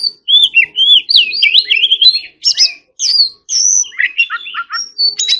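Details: White-rumped shama singing a competition-style song: a fluent run of clear whistled phrases, sliding up and down, with quick ornamented notes and short pauses between bursts.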